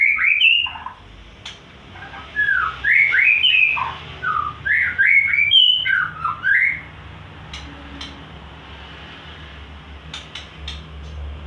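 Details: White-rumped shama singing at full voice: rapid varied whistled notes, rising and falling swoops and short trills for about seven seconds, then near silence with scattered sharp clicks and faint low hum.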